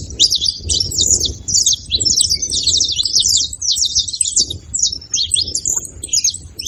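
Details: Saffron finch (canário-da-terra) making noise with fast, high, scratchy chirps in dense bursts, breaking into scattered notes toward the end, against a low rumbling background.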